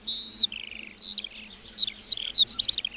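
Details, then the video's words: Lark singing in a meadow, opening with a drawn-out high whistle and a soft trill, then a quick sequence of sharp, rising chirps and twittered notes. "Singing lark in the meadow"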